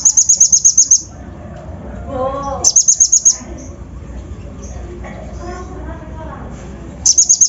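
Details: Kolibri ninja lure song to excite other birds: three bursts of fast, shrill, evenly repeated chirps with quiet gaps and faint lower warbling between them.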